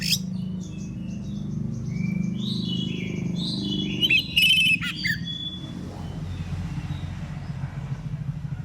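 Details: Oriental magpie-robin singing in full ngeplong style in the morning, meant to prompt other magpie-robins to answer: a run of high whistled and warbled phrases with a bright burst midway, then fading, over a steady low rumbling hum.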